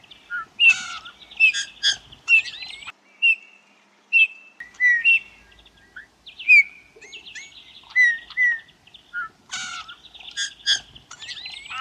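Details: A Eurasian Bullfinch gives soft, falling piped whistles every second or two, mixed with squeaky, chirping notes, in an otherwise quiet background.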